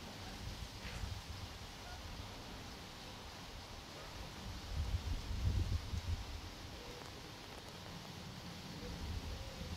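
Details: Faint low wind rumble and soft rustling outdoors at a reserve, swelling slightly midway, with no clear animal voice.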